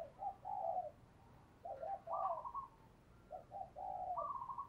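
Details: Spotted dove used as a decoy to call wild birds, giving low cooing phrases, each ending on a higher drawn-out note, twice in a row over a steady background hiss.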